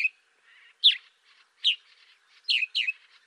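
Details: African sparrow calling with bright, slurred chirps, each followed by softer twittering notes, four main calls in just over three seconds against a quiet background.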